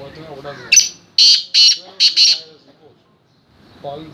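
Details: Black francolin giving its chakri call: a quick series of four harsh, grating bursts over about one second, then quiet, with faint low murmuring at the start and end.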